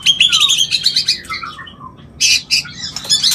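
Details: Mating call of a white-rumped shama used to stimulate mating: loud grating chatter with a short falling whistle, a brief pause, then another burst of harsh scratchy notes, against a faint hum.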